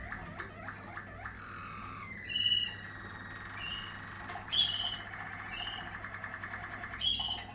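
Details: Waterslager canary, 2020 line, in song: rapid chirps lead into a long, level, rolling trill held for several seconds, punctuated by sharp, bright whistled notes and soft ticking.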